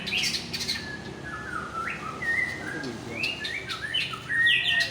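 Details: Aceh-type white-rumped shama, a fighter in top form, singing a lively run of varied whistled notes, rising slurs, quick upswept phrases, short chirps spaced closely throughout, over faint background noise.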